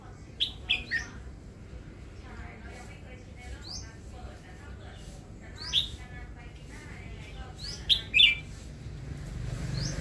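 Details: A newly acquired caged red-whiskered bulbul, kept for its song, gives short, bright chirping phrases every two seconds or so, over a steady low background hum and a faint murmur of voices.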